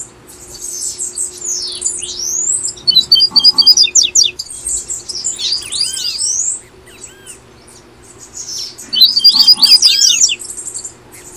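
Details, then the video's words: Double-collared seedeater (papa-capim) from Brazil singing in the tui tui style, played to encourage caged birds to sing: bursts of rapid, high twittering with sweeping whistled notes and short trills, in three phrases separated by pauses, over a faint steady low hum. "PAPA CAPIM TUI TUI"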